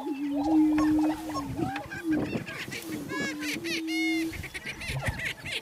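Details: A male greater prairie-chicken displaying close to a blind in low early-morning sunlight, inflating his air sacs, gives low, hollow, moaning booms, each held about a second, over sharper cackling notes and higher chirps from other birds.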